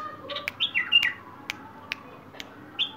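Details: Song of a wild bulbul: fluid, slurred whistled phrases that rise and fall, delivered in quick sequence, punctuated by sharp clicking taps against a low steady hum.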